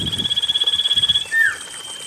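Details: Common iora song used to draw lazy birds into singing: a fast pulsed trill of about 1.2 seconds followed by one short falling note, with a brief low thump at the start and faint background hiss.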